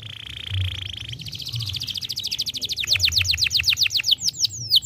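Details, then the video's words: A young canary opens with a level buzzy tone, moves into a fast, dense trill, then slower, louder falling whistles. "estimula rapidamente o som de um jovem canário"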